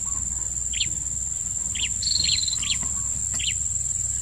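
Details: Blue-crowned hanging parrot lure call at a new trapping spot: thin, high, sharp chirps come singly about every half second to a second, over a steady shrill insect drone.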